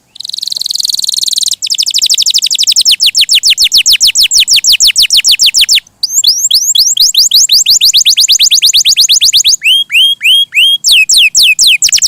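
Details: Energetic canary song lasting twelve seconds: a buzzy opening, long rapid trills of falling whistled notes broken by brief pauses, and a closing section of slower, lower swooping whistles mixed with quick notes.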